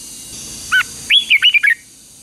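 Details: Red-whiskered bulbul in morning song training, competitive fighting-style singing: a short, bright phrase of clear whistled notes, a lone note then a rapid, rolling, slurred run of four to five loud, rising-and-falling whistles, steady faint background hiss.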